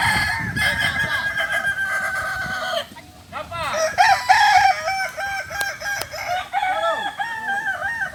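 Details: Kokok Balenggek roosters, native to Solok in West Sumatra, crowing together during a group practice session. Long, stepped crows fill the first three seconds, then after a short lull a fresh series of choppy, repeated syllables climbs and falls several times.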